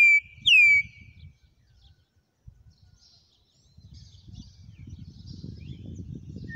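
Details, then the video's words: Campo troupial, its song described as wild: two loud, clear whistled notes, the second sliding downward, then a long quiet stretch of low rustling background noise. "CORRUPIÃO CANTO SELVAGEM"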